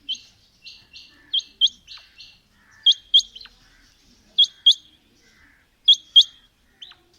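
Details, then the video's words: Quail (batair), from a recording of female and male birds calling: sharp high notes given mostly in quick pairs, the pairs spaced about every one and a half seconds, with fainter short notes between, on a quiet background. "Female Batair Calling | Male Batair Sounds | Mix Calling| Batair Ki Awaz | Batair Ki lambi Awazay|"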